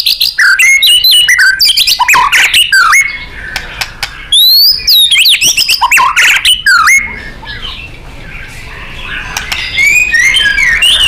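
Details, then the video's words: White-rumped shama (murai batu) singing a loud, energetic 'gacor' and 'nembak' song used as a training recording for contest birds: rapid varied whistles, sharp up-slurred notes and buzzy trills, with short quieter pauses between bursts. "Murai GACOR & NEMBAK ...FULL POWER & FIGHTER"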